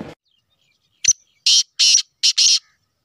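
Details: Black francolin of Sheedi cross, calling loudly: a brief sharp tick, then four harsh, grating buzzy notes paired two and two, about one and a half seconds in all, with silence around them.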